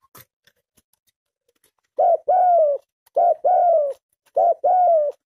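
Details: Cooing from a tame spotted dove, silence at first, then three two-part phrases, each a brief low note and a longer drawn-out falling coo, roughly one phrase per second.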